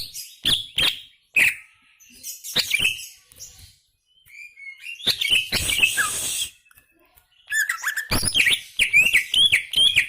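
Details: Greater green leafbird in gacor song: spaced sharp chips at first, a harsh noisy burst in the middle, then a busy stretch of varied twittering whistles and squeaky notes.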